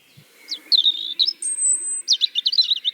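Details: European Robin song played as a recorded example at a bird-song event in the Tartu University botanical garden, Estonia, August 2020: varied high thin whistled phrases, sliding notes, a long sustained high whistle, then rapid tinkling trills, heard over a faint steady hum.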